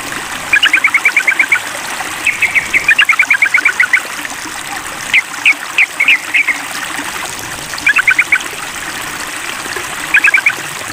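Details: Sooty-headed bulbul in a mental test, calling to a rival: long fast rattling runs of clipped notes, then scattered sharp single calls and short bursts, all over a steady hiss of running water.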